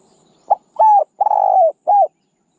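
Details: One cooing phrase of a spotted dove used as a decoy: a short soft note, a flat coo, a long vibrating coo falling at the end, and a short final coo.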